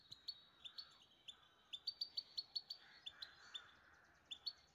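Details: A pet Grey-crowned (Himalayan) Goldfinch in Istaravshan sings a lively series of bright, high chirps and twittering notes, several each second, with a soft lower warble in the background.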